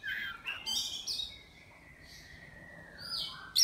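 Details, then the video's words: Oriental magpie-robin from Miri, Sarawak, a caged contest bird, gives buzzy rising notes then one long drawn-out steady whistle fading downward, ending in a sharp high burst. "Lomba Burung Online Kacer"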